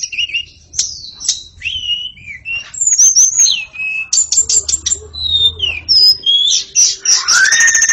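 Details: White-rumped shama (murai) singing steadily in gacor fashion: a varied stream of clear, slurred whistles and high sharp notes, closing with a loud rising sweep and a buzzy flourish.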